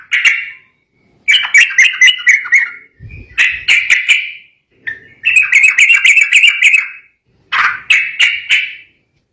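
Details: Sooty-headed bulbul singing excitedly, the kind of song that makes rivals answer: five bubbly, warbling phrases of rapid notes, each about a second long, separated by short gaps.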